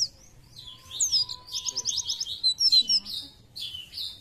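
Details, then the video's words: Energetic Oriental white-eye song of high trilled chirps and buzzy warbled phrases rising and falling in quick bursts. A faint steady tone and low background hum run underneath. "PLECI JOSS ..BUKPAR KEREN..FIT NGICAU LOSS"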